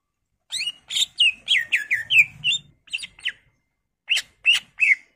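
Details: Cucak ijo, the greater green leafbird, in full-isian song: a rapid run of down-slurred whistled chirps, a few sharper notes, a pause, then three more slurred whistles.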